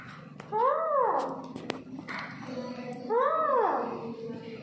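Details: Indian parrots at home uttering two arched, tonal, wavering calls, each rising then falling, about two and a half seconds apart, amid faint clicks and room hum.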